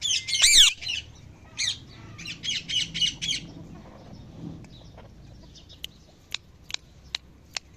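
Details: Parrots calling in the evening: one loud harsh squawk, then a quick series of four or five rasping, buzzy chirps, followed by scattered sharp high clicks over quiet low background noise.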